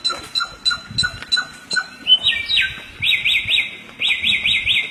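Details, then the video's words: Samyong bird recorded as a song tutor for other birds: short spaced chips, then a clear whistled note and a run of rapid, rolling high trilled phrases. "Masteran burung samyong"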